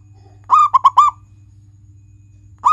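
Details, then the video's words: Prolific local zebra dove, a pet bird: one short phrase of four loud, clipped, ringing coos, the start of another at the end, over a steady low hum. "Masteran perkutut lokal gacoran, pancing dengan suara ini agar perkutut jadi gacor"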